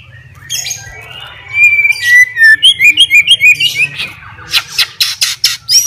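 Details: White-rumped shama, a fighter bird singing to challenge rivals, opens with soft notes, then a run of clear rising and falling whistles repeated rapidly, ending in sharp high chips; faint low hum throughout.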